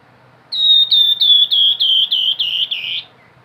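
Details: Grey-headed babbler in nyiul song style: about eight clear, high whistled notes in a steady run, each slightly falling, the last note lower and buzzier.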